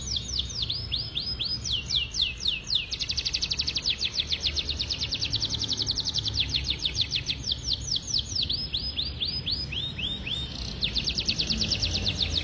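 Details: Lemon Podang canary in long, sustained song, delivering dense runs of rising whistled sweeps repeated rapidly, steady trilled phrases changing speed and pitch, high and bright throughout with little background noise.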